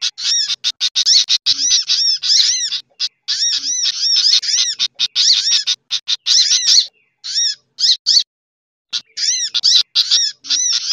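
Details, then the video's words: Sunbird (sogok ontong) lure recording, busy mix combined with other lure birds such as chattering bulbul: dense, fast high chittering of arching, looping notes in rapid bursts, with short pauses near the end. "Suara Pikat Burung Sogok Ontong Ribut Kombinasi"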